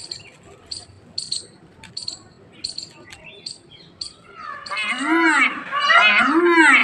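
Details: Peacock during its display dance: soft high chirps at first, then loud nasal, arching wailing calls rising and falling in pitch, repeated twice in quick succession.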